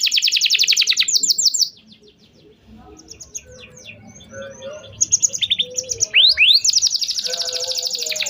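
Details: Canary singing, a lure for young canaries learning and for ones that stopped singing; a fast trill breaks off, a quiet gap follows with soft sparse notes, then swooping whistles and a renewed rapid trill.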